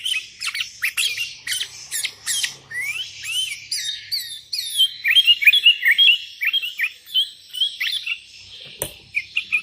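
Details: Sooty-headed bulbuls calling to rivals, with wild birds answering: busy overlapping chirps and short rising and falling whistled notes, fast and irregular, with dense chatter early on, then scattered notes and a sharp click near the end.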